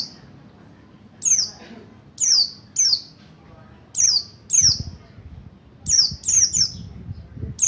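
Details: Mountain white-eye of the Buxtoni type, learning ngalas and ngerol song as a lure for other white-eyes. Separate sharp, high, downslurred notes come singly or in quick groups of two or three, with quiet gaps between them and faint low rumbling.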